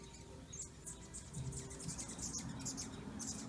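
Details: Hummingbirds at a feeder on a sunny Sunday in December 2020: rapid, very high thin chirps and squeaks in quick irregular bursts, with a low steady hum and faint background tones underneath.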